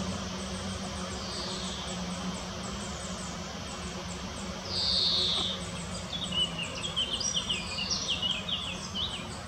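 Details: In the Botanical Garden in Munich, a female common chaffinch on a foraging round gives a single high, slightly falling whistle. Another bird then follows with a rapid, jumbled chirping phrase over a low hum.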